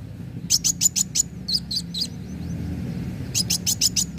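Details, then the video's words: Sunbird, kolibri wulung, as a lure song to set other birds singing: rapid clusters of piercing high chips, five or six in quick succession, a short pause with softer thin notes, then another fast chip series over low hum. "Pancingan kowul gacor narung"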